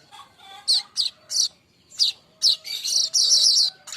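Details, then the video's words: Song of a young baya weaver used as training material for songbirds. Separate sharp high chirps spaced about half a second apart run into a dense, scratchy buzzing trill at the end. "ocehan pedas burung Manyar"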